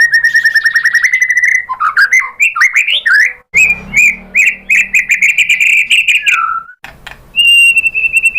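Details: Stimulating song of a white-rumped shama for prompting replies: a rapid chattering trill flows into swooping whistles, then a long, wavering whistled phrase and a final steady whistle.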